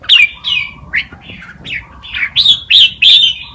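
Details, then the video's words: Red-whiskered bulbul song played as a tutor for young birds, clear whistled notes sliding up and down, quick phrases at roughly three per second, ending in loud rising chirps, with a steady low tone underneath. "นกกรงหัวจุก นกครูเพลงป่ามาลูติน เปิดสอนลูกนกก๊อฟติดง่าย"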